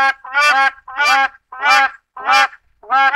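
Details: Black crowned crane (West African crowned crane, Balearica pavonina) giving loud, harsh, rich nasal honks repeated about every 0.6 seconds in a steady series.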